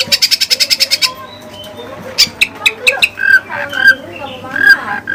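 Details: Oriental magpie-robin (kacer) with learned Cililin material: a rapid string of about ten ticking chips, then sparse squeaky whistles and short scratchy notes.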